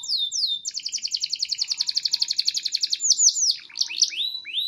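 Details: Canary from a bird collection in Petarukan, Pemalang, Central Java, Indonesia, singing: a few high slurred downsweeps, then a fast even trill of repeated notes lasting about two seconds, ending in clear falling and rising whistles.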